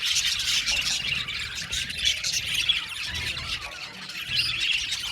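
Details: Budgies singing in an aviary colony, steady scratchy chatter of overlapping chirps, with soft low thumps in the background.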